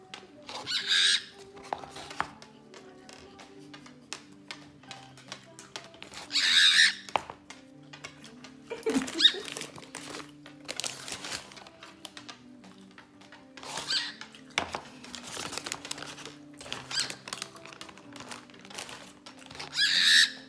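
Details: Male cockatiel (Nymphicus hollandicus) gives angry, harsh, grating screams in bursts, demanding its owner's fried chicken, which it cannot eat.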